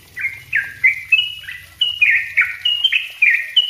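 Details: Continuous, dense song of a yellow-vented bulbul meant for tutoring other birds: fast jaunty chattering notes, each slurring down then up, roughly three per second, with a faint low hum underneath.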